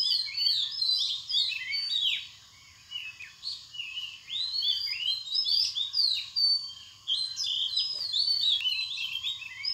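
Purple sunbird giving rapid, high, sharp chirps and twitters in dense bursts, with a brief lull midway, over a faint steady hum.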